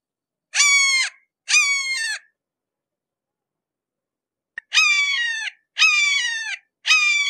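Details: Two strident, descending screams from a red-shouldered hawk, then a pause of over two seconds before three more identical notes follow in quick succession, all on a silent background.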